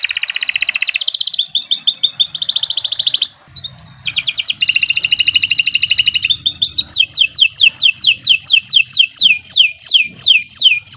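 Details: Canary singing continuously as a lure for other birds: dense buzzy trills alternating with rapid rattles, a short break, then many sharp falling whistled notes repeated quickly.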